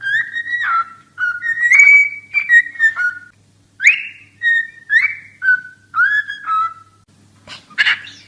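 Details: Whistled cockatiel song: bright, drawn-out tones that climb, fall and wobble, given in short phrases with pauses, followed by a final scratchy chirp.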